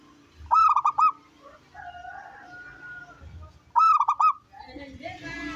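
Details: Local wild-type zebra dove, a persistent loud singer used to get other doves singing; two phrases of rapid rolled coos ending in a drawn note, about three seconds apart, with softer bird whistles and chatter in between.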